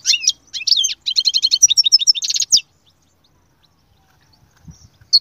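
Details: Goldfinch song meant to prompt a silent goldfinch into singing: varied high twitters running into a fast, steady trill of clipped notes, then near silence with a final chirp.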